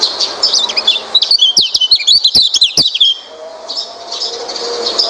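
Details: Oriental white-eye singing, used as a lure to get a reluctant white-eye to sing: fast, high, zigzagging twitters packed into about two seconds, then softer background bird chatter.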